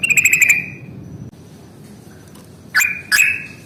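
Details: Ngalas fighting-style song of a yellow-vented bulbul, a lure for birds reluctant to sing: a rapid pulsed trill opens, followed after a pause by two sharp notes sliding into short level whistles.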